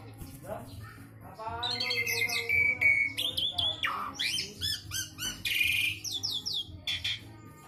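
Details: Javan pied starling (jalak suren jawa) delivering a fill-laden song ('isian sekebon kacang'): squawky, harmonic notes, sustained high whistles and scratchy chatter in quick succession, over a constant low-pitched hum.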